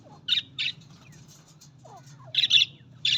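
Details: Budgies call with a pair of rasping chirps, a quieter stretch with faint twitters, then another tight pair of harsh chirps and a final one, against a low steady hum.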